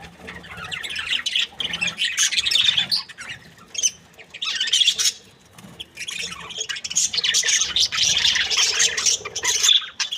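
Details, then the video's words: Budgies in a happy mood keep up a dense, scratchy warbling chatter, with quick buzzy squawks running almost without break and a short lull midway. "Happy budgies chirping sound"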